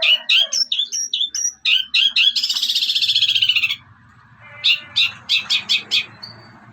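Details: Long-tailed shrike (cendet), young, performing master song with gereja, petir, armagendon and kuntilanak fillers: clear whistled chips, then a fast buzzy rattle, then a run of sharp separated notes, with a faint hum.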